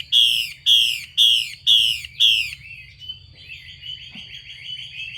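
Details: Harsh 'xùy' bursts from a female Chinese hwamei urging males to sing: five loud, rasping hisses in even rhythm, about two per second, then a quieter, rapid, trilling warble.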